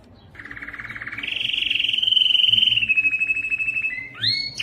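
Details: Tutoring recording of a canary: a low pulsing roll that swells and lifts into a bright fast trill, fades, then ends with two quick upward-sliding whistled notes.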